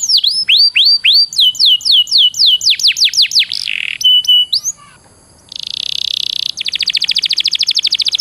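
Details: Canary master song used to train canaries, a loud high run of repeated sweeping whistled notes, then a brief buzz, a pause, and fast rapid trills and rolls at the end.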